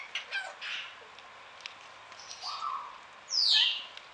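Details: Burrowing parrot at a garden aviary in Pelhřimov, Czech Republic, on a rainy November morning (6 Nov 2017): harsh squawks, a few rasping notes, then a buzzy mid-pitched call and a loud, downward-sweeping screech.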